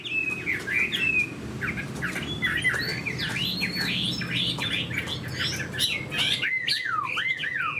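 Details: Chinese hwamei, a caged fighting bird with fanned tail and eagle-like wing display, sings rich swooping whistles that bend up and down in rapid varied phrases above a low background rumble.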